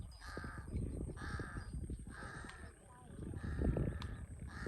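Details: Five coarse, drawn-out caws from a large-billed crow in Cambodia, spaced about a second apart, over continuous low rumbling and scattered knocks.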